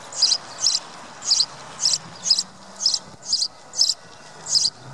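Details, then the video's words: Sparrow chirping: short, bright, high chirps repeated steadily about twice a second, nine in a row, over a faint low hum. "Sparrow sound video | Birds chirping sound"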